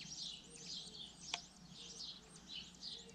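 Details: Brief stretch of common linnet twittering, with quick high chirps and fluttering trill phrases, one sharp click in the middle, and a quiet low background hum.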